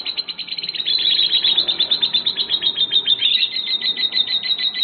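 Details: Lovebird singing in a contest test: a dense, shrill, rapidly pulsing chatter, uneven in rhythm, continuing nonstop with a slightly rasping edge.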